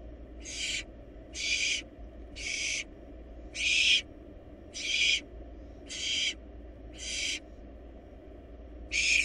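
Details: In a monitored nest box, wild barn owl nestlings swallowing a large rabbit give short, breathy screeching hisses, eight bursts spaced about a second apart over a quiet background.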